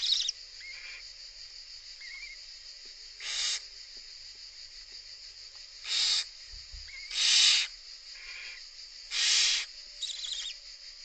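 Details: Young barn owls begging while their mother feeds them, with loud rasping hiss bursts recurring irregularly about every second or two, plus a few faint thin rising squeaks between them.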